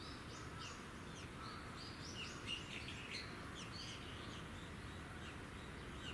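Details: Hawfinch (Coccothraustes coccothraustes) in Okayama City, Okayama, Japan, 26 February 2019, gives short, sharp ticking calls, scattered irregularly and overlapping as if from several birds, over a low rumble of distant background noise.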